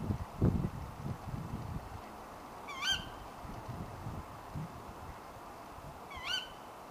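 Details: A female tawny owl calling late at night gives two sharp, hoarse, rising 'ke-wick' calls about three and a half seconds apart, over a steady low rumble.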